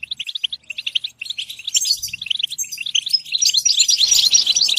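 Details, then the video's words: Goldfinch singing in bursts of clipped, tinkling chirps that run together into a dense, buzzy, jingling twitter over the last seconds, with a soft thump near the middle. "Comprehensive guide to stimulating and singing the goldfinch"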